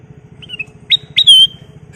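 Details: Chatty ruby-throated bulbul used as a lure recording: quiet whistled notes, then two abrupt rising notes and a long, bright, steady whistle, over a low, rhythmic humming background.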